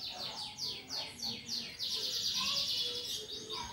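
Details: Energetic canary song used to coax other birds into singing: a run of descending sweeps repeated about three times a second, then a dense, sustained high buzzing trill, with softer lower whistles beneath.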